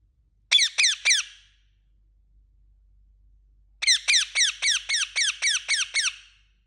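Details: Indian ringneck parakeet calling: a burst of three shrill, descending squawks, a pause of about two seconds, then a run of nine evenly spaced harsh screeches.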